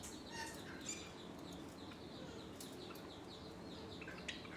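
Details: Java sparrows fighting give short, sharp chirps and chips in quick, irregular bursts over a steady low hum and faint rustling.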